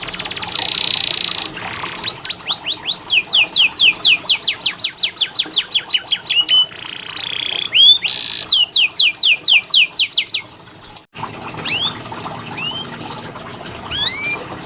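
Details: Canary master song played to train reluctant canaries: a buzzy rolling trill, then long runs of quick repeated downward-swept whistles broken by short pauses, ending in a few scattered chirps.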